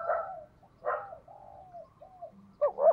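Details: Decoy spotted dove for luring wild birds: soft, blurred coos and drawn-out low notes, ending with a louder quick double coo.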